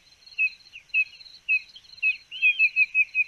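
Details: Spotted nothura (Nothura maculosa), call.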